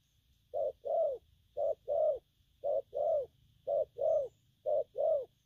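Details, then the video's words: Cooing wild-caught spotted dove in gù phóng and gù lăn style: five even pairs of soft low notes, short then longer, about one pair a second over a steady faint hum. "Bổi nước gù phóng, kèm, gù lăn săn"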